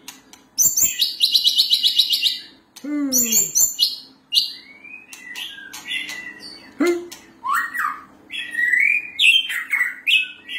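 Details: Varied song of a white-rumped shama: rapid buzzy trills and rattles, a steep descending whistle, then melodious looping whistles and sharp ticks, delivered in loud, irregular phrases.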